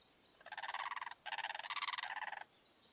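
A blue crane gives two loud, rattling, rolling calls, the second longer. Faint high chirps of small birds come before and after.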